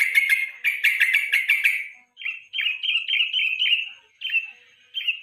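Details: Yellow-vented bulbul singing in the evening, used to train other songbirds: a harsh chattering burst, then a string of short clear whistled notes repeated about twice a second.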